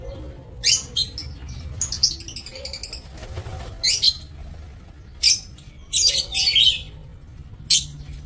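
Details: Aviary-bred lovebirds on 27 March 2024 produce brief, piercing, high chirps spaced irregularly, roughly one burst every second or so. Quiet gaps fall between them, and one faint lower note appears early.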